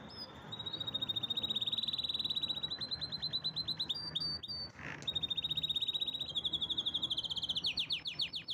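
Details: Canary singing a strong song of long rolling trills, rapid even pulses held for seconds, broken once by a short gap with a few clicks, then resuming and ending in quick descending notes.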